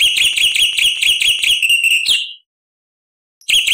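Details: Black-winged starling producing a fast, shrill, ringing trill of repeated high notes, about two per second pulses blending into a continuous piercing phrase, then a pause and the trill resuming.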